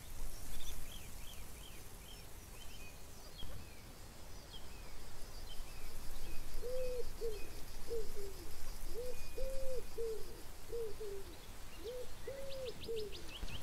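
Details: Chukar partridge giving low, hoarse chuck notes repeated in quick bursts over the second half, with thin chirps from smaller birds early on and steady wind-like rumble throughout.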